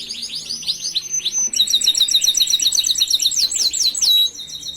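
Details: Canary master song for teaching other canaries: a series of downslurred whistles, then a long fast rattling trill of repeated high notes with sweeping whistles near the end.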